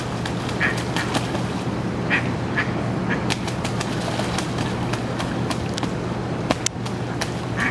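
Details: Female mallard quacking nearby while two drakes fight in Botany Pond: a few scattered, nasal quacks about a second apart, set against a steady low hum and sharp splashy clicks.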